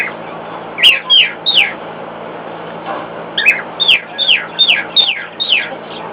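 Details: Pet cockatiel singing to a hairdryer in the next room: clear descending whistled notes, roughly two to three per second, in two bursts with a short gap, over a constant low hum from the appliance.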